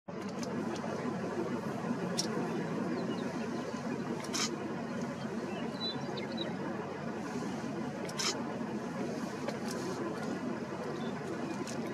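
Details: Steady road-like rumble and broadband noise, with a couple of brief clicks and no clear animal call.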